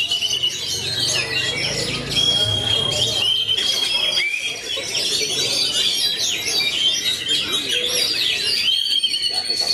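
A magpie-robin sings a rich, fast medley of sweet whistles, trills and harsh chattering notes, with long pure whistled tones. Faint voices murmur in the background.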